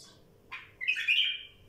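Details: A wild bulbul sings a quick rising chirp, then a loud, throaty warble that swells and fades within half a second; a soft high note is heard at the start.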